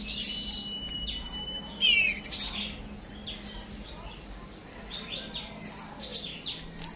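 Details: White-rumped shama, with a female lure used to stir a male to fight: a level high whistle, a loud descending buzzy note, then repeated short sweeping whistles spaced about a second apart, over low background hum.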